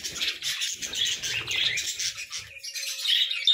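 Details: Morning budgerigar chirping as steady, bright, buzzy twitters and warbles. A few thin whistled notes come at the end, with faint low rustling.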